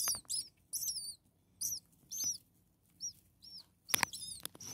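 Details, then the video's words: Six starling nestlings, a few days old and hungry, begging in the nest: thin high arched chirps given in short separate bursts, softer single squeaks toward the end, plus a brief knock and rustle. "Hungry Six Starling baby birds"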